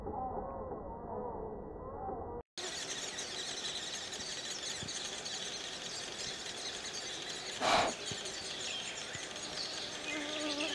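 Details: Nestlings of a spotted woodpecker, fed in turn by both parents, keep up a dense, buzzing, hissy begging chorus, steady and without pauses, after a brief muffled opening.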